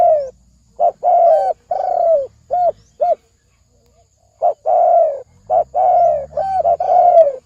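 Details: Spotted dove of the thổ ồm vang kind cooing in rapid, fast-paced phrases: short clipped notes and long falling coos in close succession, a brief pause, then more, over a low hum.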